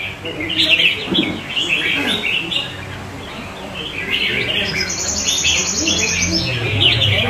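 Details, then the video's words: Kept red-whiskered bulbul (chào mào) from Vietnam, performing well alongside other birds nearby: bright chirped phrases around mid-high pitch, then a fast, high, buzzy trill near the end, with other birds' notes and faint voices behind. "Chào mào Mào Lân Chơi tốt với các CB xung quanh khác"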